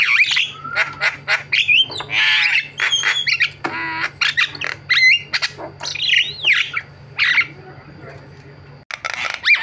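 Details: Javan myna singing a varied song: rough squawks and clicks, a rattling buzzy stretch, and scattered slurred whistles, ending after a brief quiet gap with one more harsh note.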